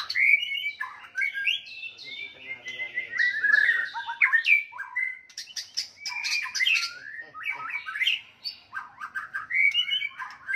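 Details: Aggressive White-rumped shama song for provoking opponents: continuous varied phrases of slurred whistles, harsh chatters and quick trills in a high register, delivered with few pauses.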